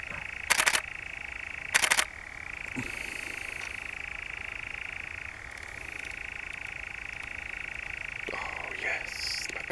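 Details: European nightjar in the Brecks, Norfolk, July 2017, churring steadily. The mechanical trill runs on with slight pitch changes, interrupted early by two loud clapping bursts and later by softer knocks.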